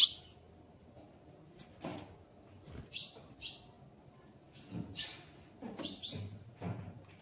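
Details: Female ultramarine grosbeak kept by a breeder, soliciting mating. Irregular high, sharp chips, some doubled, mixed with soft low knocks and rustles from the cage.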